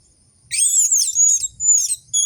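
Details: Orange-headed thrush, a captive bird's lure recording with full song types such as fine and rough chattering and long clear notes, sings high, rapid, sweeping whistled phrases with buzzy trills in three bursts over a faint low rumble.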